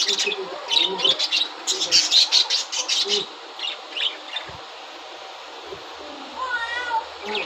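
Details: Aviary budgerigars at the start of breeding season, laying eggs, several colour varieties together. A dense run of rapid high chirps, about one a second, gives way to softer chatter and a late wavering, harmonic call.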